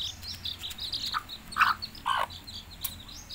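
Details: Mother hen summoning chicks to food with three quick, gruff clucks close together, over a steady chatter of high, falling cheeps from the chicks.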